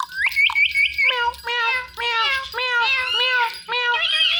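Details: Male Ringneck parrot watching himself on a phone: a fast bouncing chirped trill, then a string of harmonic, speech-like meow syllables repeated about twice a second.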